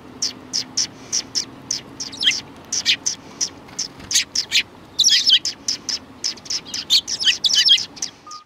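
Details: Sparrows chatter at a Tenmangu shrine on 3 January 2020, with a steady stream of short high chirps several per second and denser twittering bursts midway and near the end.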